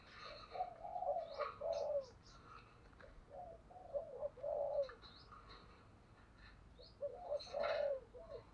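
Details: A spotted dove's decoy cooing meant to stimulate wild birds: repeated three-part phrases of short notes and a sliding longer coo, three times, with chirps of other small birds and background noise.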